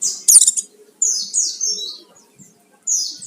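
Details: Oriental white-eye (pleci) song used as a lure to provoke other birds into singing: high, thin slurred whistles sweeping downward in short bursts, a loud opening note then two descending phrases, with faint low background noise.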